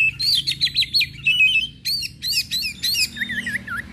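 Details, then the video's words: Oriental magpie-robin singing loudly in full open voice while agitated and spreading its tail: fast, varied phrases of whistled, warbling and chattering notes in quick bursts, some rising and falling, with a few lower rolling whistles near the end. "KACER gacor NGEPLONG emosi DAN BUKA EKOR"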